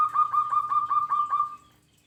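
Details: A local zebra dove, singing actively, gives about eight quick, evenly spaced, mid-pitched cooing pulses that run into a smooth, drawn-out tone fading to silence.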